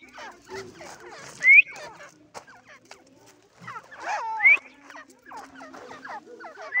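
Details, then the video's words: Francolin known as Irani teetar, calling in rapid clipped bursts with a few loud squealing upslurred notes rising above the chatter, pauses between runs. "irani teetar ki voice"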